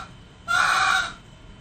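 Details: A male red junglefowl, recorded as a lure call for trapping, gives a single harsh, clipped crow lasting just over half a second, over a faint background hiss.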